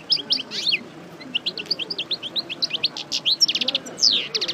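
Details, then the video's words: European goldfinch, subspecies parva, freshly out of moult and rehearsing its song: a lively unbroken stream of high, liquid twitters and chips, ending with harsher buzzy notes and rapid trills. "Chardonneret Parva Coupleur Sortie De Mue Repasse Le Chant"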